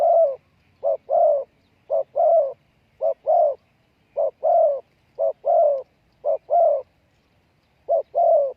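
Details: Spotted dove kept as a decoy, calling to lure wild doves: mellow, low cooing in paired phrases, a short note followed by a longer, slightly falling coo. The pairs repeat about once a second with brief pauses, in a quiet background.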